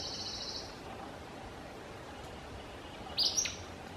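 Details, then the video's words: Acadian Flycatcher (Empidonax virescens) in Liberty County, Texas, 6 May 2017, calling, coughing up a pellet and chattering in flight: a faint high note at the start, then a brief sharp, high chattering burst near the end, over soft background hiss. "Acadian Flycatcher (Empidonax virescens) Calling, Coughing up a Pellet and Chattering as He Flies"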